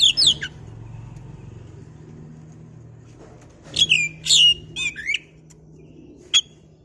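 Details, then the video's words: Oriental magpie-robin recorded to spur other birds into song: scattered loud whistled and harsh chattering notes over a steady low hum, with a single sharp note near the end. "pancingan burung Kacer biar emosi mau bunyi"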